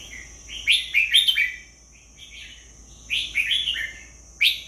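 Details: Red-whiskered bulbul delivering two lively warbled phrases of rapid, rolling whistled notes separated by a short gap, ending on a sudden bright note, with a continuous high whine in the background.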